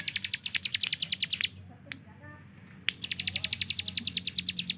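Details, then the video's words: Hill prinia kept as a master bird for training contest songbirds, delivering rapid machine-gun bursts of sharp, evenly spaced chips. One burst lasts about a second and a half, then a quiet gap with a faint lower warble, then another fast volley. "CIBLEK GUNUNG || Melatih Speed dan Tembak Burung Gacoan"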